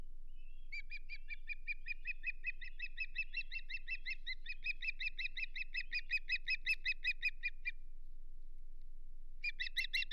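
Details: Osprey at the Hog Island nest on a May 2023 morning of mating and fish delivery, giving a long run of sharp, high whistled chirps, about three a second, growing louder, then a fresh burst after a short pause.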